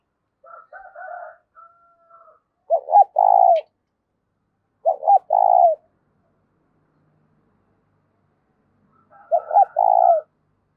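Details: Spotted dove coo used to excite decoy doves, loud and clear: soft, higher wavering notes first, then three phrases of two short hoots and a long vibrating coo at irregular intervals.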